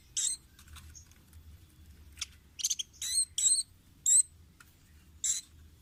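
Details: Velvet-fronted nuthatch on a training recording for caged birds. Scattered high, harsh, buzzy notes and sharp chips are spread irregularly across a quiet background.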